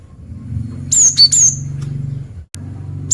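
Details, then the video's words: Lively female cinereous tit luring in males, giving a tight burst of high, thin, down-slurred whistles broken by a short lower note, then a brief pause and another note starting, with a constant low droning hum behind. "Suara Gelatik Batu Betina Gacor Mancingan Jantan"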